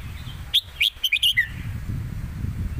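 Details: Caged red-whiskered bulbul in a singing duel, southern Thai master-style song: one quick phrase of about five bright, clipped whistled notes, the last slurring downward, over a low background rumble.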